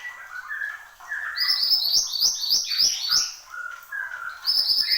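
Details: Horsfield's babbler, locally called mantenan gunung, singing vigorously: low warbled whistles at first, then a fast run of bright rising notes repeated about three per second, with scattered clicks underneath.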